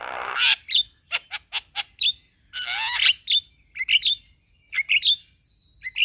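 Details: Javan myna male song, used to get a lazy bird calling: harsh noisy rasps alternating with sharp clicks and short bright whistles in an uneven, chattering sequence.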